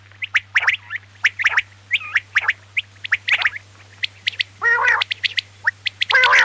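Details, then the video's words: Quail calling, a recording used for quail hunting in Pakistan and tagged as a female quail call: quick, sharp high chirps in uneven bursts, broken by two harsher nasal squawks, over a steady low electrical hum. "QUAIL VOICE FOR HUNTING"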